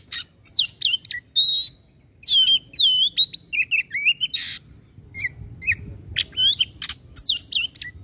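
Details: Energetic Oriental magpie-robin (kacer) song in the 'tembakan' style: clear rising and falling whistles alternate with harsh, buzzy rasps in rapid bursts, with a short quiet gap early on.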